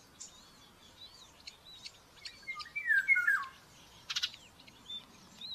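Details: A nestling common buzzard in Tiszalök, Hungary, begs during breakfast feeding on May 5, 2024, heard on a nest cam: a falling, quavering whistled squeal mid-clip, followed by rustling, with small birds singing faintly.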